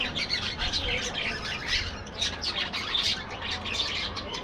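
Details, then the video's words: Chattering budgerigars in a colony aviary, dense and continuous warbled chirps and squawks from several birds blending together, with a constant low background rumble. "budgies bird"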